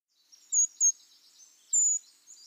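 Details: Brown creeper (Certhia americana), call.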